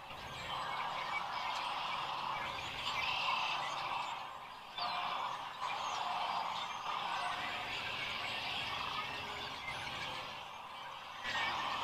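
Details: Sandhill cranes gathering in spring at Rowe Sanctuary, Gibbon, Nebraska, April 4, 2015, heard from a live crane camera: a dense, continuous chorus of rolling, rattling calls from many birds, swelling and easing in waves.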